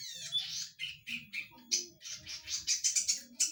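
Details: Loud-voiced zitting cisticola used as a lure call: a run of scratchy, buzzy chirps and rasping bursts, closely spaced and uneven in rhythm, over a faint low hum.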